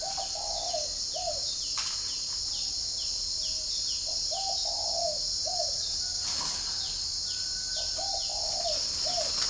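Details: In the morning at a Ba Vì, Hanoi dove garden, a spotted dove repeats mellow low coo phrases about every three seconds, short-long-short in shape, with persistent high insect drone, brief wing flutters and distant chirping.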